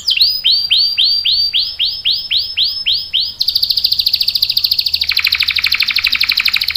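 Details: Canary, a female in breeding condition calling the male, gives evenly spaced arching whistled notes, then bursts into a fast loud buzzing roll that drops lower near the end.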